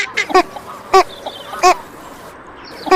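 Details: Female Northern Shoveler giving four short, nasal quacks, spaced irregularly over three seconds, each a brief harmonic burst, with a faint softer note early on and a quiet background.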